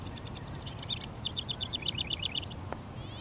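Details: A male house wren sings from its territory of fence-line honeysuckle and bushes on a sunny 19 °C day, pouring out a rapid jumble of high chirps that settles into an even run of repeated trilled notes; a single sharp click follows.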